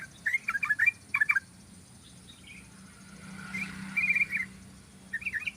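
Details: Yellow-vented bulbul song played as a lure for attracting birds: clusters of liquid warbled notes at the start, a softer burst near four seconds and a short phrase at the end, over a quiet low hum.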